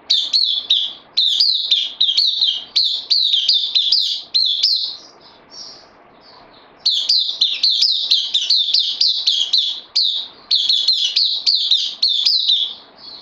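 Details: Caged bulbul on loan, newly arrived, recorded 12 September 2020, singing long runs of rapid, bright, high chirps with quick pitch flicks, broken by a soft whistled interlude and a short silence before resuming equally busy phrases.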